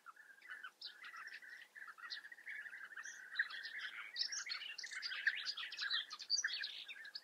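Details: European bee-eater colony in the Eifel, Germany: an unbroken chatter of rolling, throaty trills and sharper chirps, building in density and loudness toward the end.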